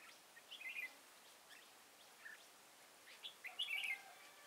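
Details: Red-whiskered bulbul recorded while trapping in Kim Bôi, Hòa Bình, on 6 April 2017, singing short, rippling chirped phrases, a soft single note between them, and a fuller, busier phrase near the end.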